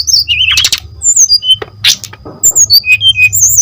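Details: Brown-chested jungle flycatcher song as a lure for other birds: a wavering high whistle, noisy bursts, then a row of evenly spaced soft notes and thin high whistles over a low hum.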